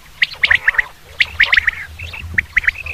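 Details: Common quail call, used for hunting: sharp, clipped notes near the upper-middle range, given in quick groups of three to four, with a brief pause between bursts and a few thinner, level notes near the end.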